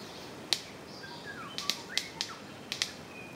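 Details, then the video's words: Sharp, dry wing snaps of a displaying Orange-collared manakin, about seven cracks in three seconds, some in quick pairs, during a courtship dance with a female present; faint thin whistles from other birds behind. "Orange-collared Manakin Dance"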